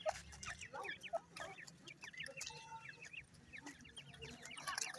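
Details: Grey francolin chicks feeding, giving many short, high, downward-slurred peeps in quick irregular succession, with scattered clicks and taps in the background.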